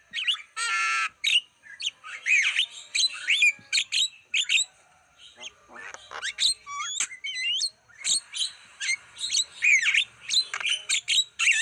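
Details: Javan myna lure song for attracting wild birds. A buzzy rattle opens a long, varied run of squawks, curling whistles and scratchy chatter with few pauses.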